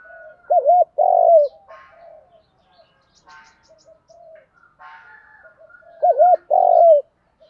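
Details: Spotted dove call used to spur other doves into calling, with female and male voices included: two loud phrases about five seconds apart, each a quick wavering double note then a sustained falling coo, with faint chirps and soft coos between.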